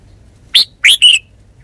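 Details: Red-whiskered bulbul giving a short phrase of three bright, slurred notes, the last a longer warbled whistle, with silence around it.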